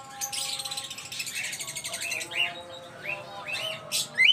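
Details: An exhibition cockatiel gives short, rising whistled chirps over soft background music.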